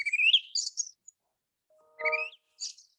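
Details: Song thrush singing loudly and persistently before dawn, around 5 a.m. while still pitch dark; bright rising whistled phrases, a short clear tonal note with a buzzy upsweep, then a final high chirped phrase.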